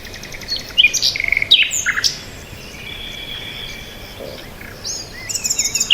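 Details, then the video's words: Peaceful bird chirping with several overlapping voices: quick high twitters, a few drawn-out thin whistles and a rising looping note near the end, set against soft steady background hiss. "Birds Sound | bird chirping sound | Peaceful Bird Sound"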